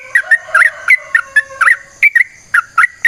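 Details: Yellow-vented bulbul singing a rapid 'ropel' sequence for use as a lure, with bubbly, slurred notes in quick clusters over a faint steady low whistle.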